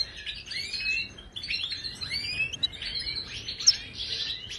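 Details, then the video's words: Moroccan European goldfinch in Ouidani-style song for teaching caged birds, heard more softly here. Soft, continuous twittering of slurred and chirped notes with one sharp high squeak. "هل عصفورك صامت قدم هذا التغريد له وشوف كيف يتفاعل معه"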